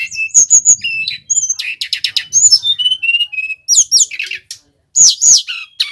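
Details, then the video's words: Vigorous male brown-chested jungle flycatcher from Bali, recorded as a lure for trapping: quick high whistles, rattled chirp series and looping downslurred notes, with short pauses between phrases. "Sikatan rimba dada coklat bali gacor - PIKAT Burung SRDC"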